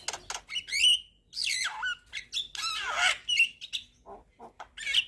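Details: Vigorously singing Javan myna, nodding while it sings a song full of varied fill-in material: scratchy chatter, sharp whistles, long descending rasping squawks, and a few low clucks.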